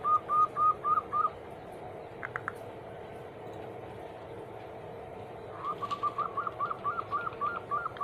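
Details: Zebra dove cooing, played as a daily prompt to get other doves singing: a short run of rapid soft notes, a gap with faint clicks, then a longer, slightly quieter train of repeated coos against background hiss.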